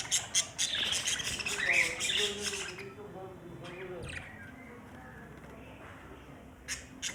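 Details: Budgerigar giving a dense burst of scratchy, squawking chatter with quick high chirps for about three seconds, then fading to a quieter murmur with low voice-like tones and a few sharp clicks near the end.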